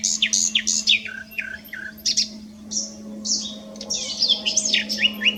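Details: Nightingale song recorded at S'Albufera, a rapid series of descending whistled notes repeated in quick succession, then rising and falling slurred phrases, with a constant low background hum.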